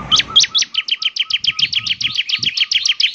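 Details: Energetic gacor song of a bar-winged prinia, known locally as ciblek semi, said to draw replies from others of its kind: a steady run of quick, high, sharply falling chirps, roughly seven per second, against a quiet background.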